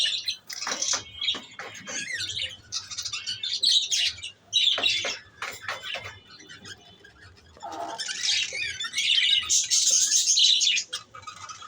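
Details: Lovebirds chattering in shrill, high-pitched chirps and squawks that come in rapid overlapping bursts, dip briefly near the eighth second, then return as a louder, denser stretch of screechy calls.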